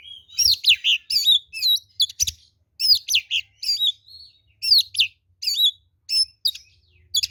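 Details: Energetic fighting song of an oriental magpie-robin, kept bird used as a lure to make others answer: dense bursts of sharp chirps and quick swooping whistled notes repeated in short phrases, separated by brief gaps, faint low thumps beneath.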